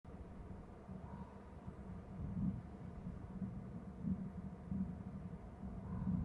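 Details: Low, steady rumble of engine or traffic noise with pulsing swells; no animal call stands out.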